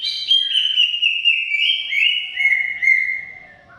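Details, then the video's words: Greater green leafbird in long 'gacor' song: a sustained run of rich whistled notes, each slurring down in small steps and repeated about twice a second, ending in a soft fade. "Suara Kicau CUCAK IJO Gacor Panjang Khusus Untuk Cucak IJO Yang mogok NGOCEH"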